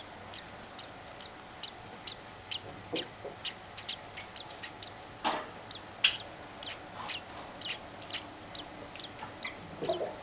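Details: Two Java sparrow chicks, aged six and four days, give a steady stream of short, high, ticking begging peeps for food in the morning, several each second, with a few louder squeaks mixed in.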